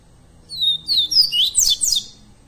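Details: Double-collared seedeater song, called coleiro pardo, recorded live as an encarte training recording for captive birds; a bright phrase of clear, downslurred whistles followed by quicker, buzzier slurred notes, lasting about one and a half seconds.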